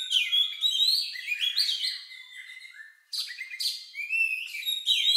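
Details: Unusual song of an Oriental magpie-robin, likened to a lovebird and used to prompt other birds to sing: rapid varied whistles and chirps, a brief pause near three seconds, then more rising whistled notes.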